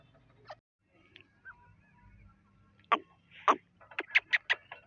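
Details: Partridge giving scattered sharp notes, then a burst of quick, rasping notes packed close together near the end, with a low background hum.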